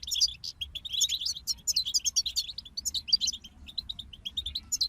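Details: Continuous, lively twittering from a group of European goldfinches, with rapid tinkling notes, slurred chirps and short buzzy trills packed closely together throughout, over a faint low hum.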